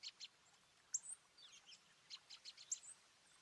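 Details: Garden birds in New Jersey, northeast USA, on 5 April 2024, the day of a 4.8 magnitude earthquake, partly cloudy. Short, very high chirps and sharp ticks come in scattered bursts, with a few thin, sliding notes between them.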